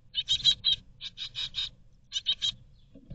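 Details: Great tit nestlings in a Berlin nest box in 2022 beg for food. Three groups of shrill, scratchy chirps rise and fall in quick succession, then fall silent, with a soft low bump at the end.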